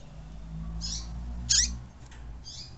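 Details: Tui-tui song of a caged double-collared seedeater, played to get another caged bird singing: three short, buzzy, high notes spaced about half a second apart, the middle one strongest with a downward tail, over a low steady hum.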